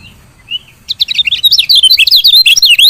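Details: Female lemon-bellied white-eye calling to stimulate males to sing: one soft note, then a loud, fast, unbroken stream of high, squeaky twittering chirps that lasts to the end.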